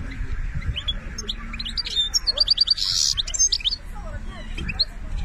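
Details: European goldfinch from Algeria singing a lively run of quick repeated high chirps and twitters, broken by a short harsh buzzy burst near the middle, with soft background murmur underneath.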